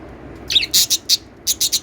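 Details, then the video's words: Quick series of harsh, high lovebird chirps, about six notes packed into under two seconds. "love birds singing & chirping sounds"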